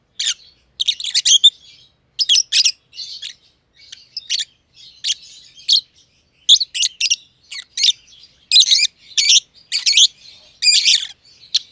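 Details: Two friendly personata lovebirds, green and green pied, chirp at length in their aviary, giving harsh, rasping notes in quick pairs and clusters with brief pauses, steady throughout.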